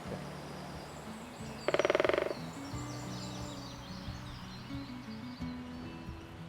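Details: Great spotted woodpecker drumming in spring in Penllergare Valley Woods near Swansea, Wales: a single loud, fast drum roll of about half a second, with high songbird chirps and a low hum of voice underneath.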